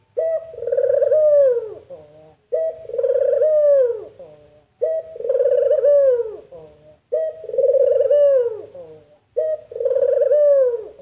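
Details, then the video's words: Spotted dove giving its distinctive call, the style rendered as 'empuk jeruu' or 'kuk gerruuuk'. Five loud hoarse coos, each about two seconds long and ending in a falling, drawn-out roll, repeat every two to three seconds with short silences between. "Suara Burung Puter Empukjeruu"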